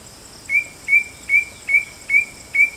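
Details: White-bellied drongo repeating a short, bright, clipped note six times, about every 0.4 seconds, each note rising quickly then holding level, with a quiet hiss of insects or distant noise behind.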